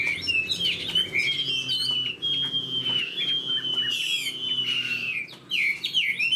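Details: Kept Chinese hwamei, a fan-tailed bird noted for eagle-wing display and good fighting, sings a loud, sustained high whistle that wavers steadily for several seconds, broken by quick warbled flourishes and sharp upslurred notes near the end, in a small indoor space.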